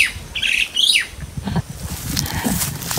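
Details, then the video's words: Pet crested mynas (Martinez birds), several together, chattering happily while roaming on a riverside outing in the countryside. Two brief harsh, squawky bursts in the first second, then softer outdoor rustling and low handling noise. "KAPAG MASAYA MAS MADALDAL ANG MGA IBONG MARTINEZ"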